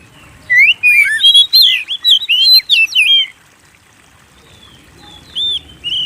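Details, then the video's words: Persistent song of an Oriental magpie-robin, used to coax other birds into singing: a dense two-second run of looping whistled and buzzy notes, a pause, then a few scattered high slurred whistles. "Pancing Burung Kacer Gacor"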